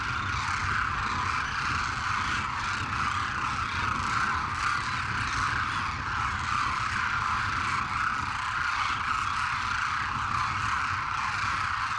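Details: A steady, droning engine roar like a propeller aircraft fills the whole stretch, with no animal calls standing out.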